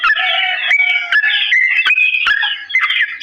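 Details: Sooty-headed bulbul long, slow song used to teach birds to imitate; rich overlapping whistled and warbled phrases, rising and falling, with a lower steady tone running beneath and brief clicks between phrases.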